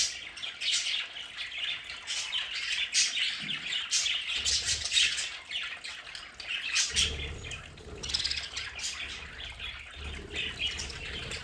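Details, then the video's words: In their home play area, budgerigars keep up a soft continuous chatter of raspy chirps and squawks, while low rumbling noises come and go in the background. "Sonidos de budgies para Budgies en casa"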